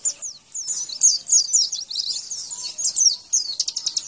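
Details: Javan white-eye training song: a dense, rapid jumble of thin, high twittering and slurred notes, ending in a quick pulsed series of sharp chips.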